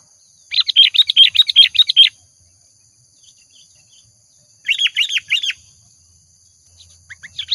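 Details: Energetic sooty-headed bulbul singing, used to lure other birds: a rapid run of about eight sharp, evenly spaced chirps lasting one and a half seconds, then a shorter bubbly phrase and the start of another.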